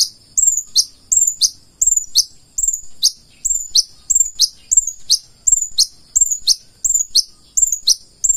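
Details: Purple-throated sunbird in energetic song, giving piercing high-pitched two-part chirps that slur downward, repeated at an even pace of roughly one and a half per second against a quiet background.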